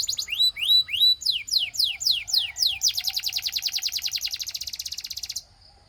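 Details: Russian singing canary, meant to seduce fellow canaries, giving upward-curving whistles, a run of falling sweeps, then a long rapid chattering trill that stops abruptly into quiet.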